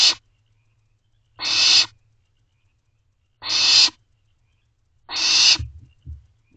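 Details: Barn owl nestlings in Owl Box C calling their parents for food at night, 24 May 2023; five harsh screeching hisses in steady sequence, closing with a few low thumps.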